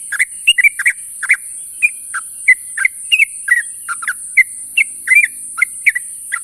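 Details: Morning companion calls from a sooty-headed bulbul: lively, irregular chirps and short slurred whistles, sometimes doubled, keeping a brisk pace throughout, with a constant high background hiss.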